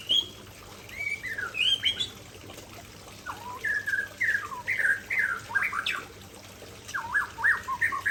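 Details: White-rumped shama of the Aceh type pouring out its isian, a varied fill song: rapid sequence of slurred whistles, swooping up and down, in dense clusters with brief pauses between phrases.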